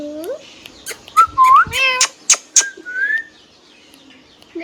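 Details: Hand-tame green ringneck parrot, brief talking phrases: a rising whistled note, stacked harmonic syllables and two sharp clicks, then a level whistle before falling quiet.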